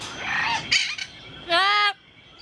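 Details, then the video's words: Talking parrot at Jungle Island, Miami, Florida, USA, recorded 24 November 2010: a rough, raspy vocalization, then a clear, nasal, harmonic-rich voice-like sound, with a faint hum behind it. "Talking Bird"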